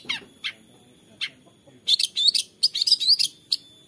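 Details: Long-tailed shrike song used as a lure to stir a quiet caged shrike into singing, phone-recorded in Central Java, Indonesia: a few sparse high chirps, then a quick run of sharp, varied chattering notes.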